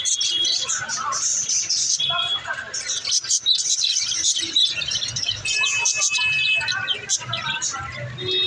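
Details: Pet budgerigars keep up a busy, high chatter of rapid chirps, warbles and scratchy twitters, with several birds overlapping throughout.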